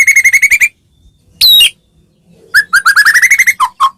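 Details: White-rumped shama from Medan, a lure to provoke other shamas, giving a rapid series of rich repeated notes, a single high whistled upslur, then another quick rising run of chattering notes ending in two lower whistles.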